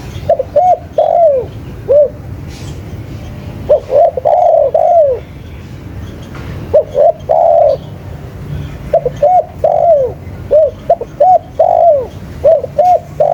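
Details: Vigorously calling spotted dove repeating its phrase about five times: two or three short hollow coos leading into a longer descending slurred note, separated by brief pauses, with low background noise.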